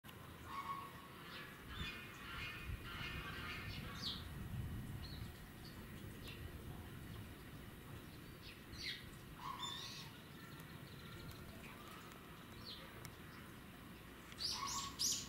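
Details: Blue-and-yellow macaw (Ara ararauna) at Oshima Park Zoo, Tokyo, on 3 March 2018, giving harsh, raspy squawks in short bursts every few seconds, over a steady low rumble of background noise.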